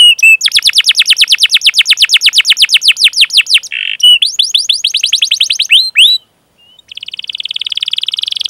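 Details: Vigorous canary singing long 'cuit cuit' chirps and rolls, a master track used to coax young canaries or ones that stopped singing: fast rows of descending high chirps, a buzzy note, then another chirp series, a short pause and a dense buzzing trill.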